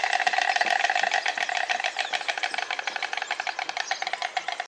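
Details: White stork (Ciconia ciconia) recorded in the wild, bill-clattering: a dry, wooden rattle of rapid clicks that starts as a dense roll and loosens into separate knocks.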